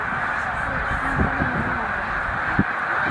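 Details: About 100,000 snow geese gathered at Middle Creek wildlife refuge during northward spring migration, producing a dense, unbroken roar of overlapping nasal honks with a few lower sharper calls standing out.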